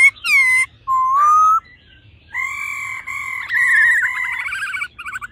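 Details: Laughingthrushes, a female calling with the male singing in a wild, mature voice: a falling whistled slur, a rising whistle, then long sustained level whistles breaking into a quick wavering trill.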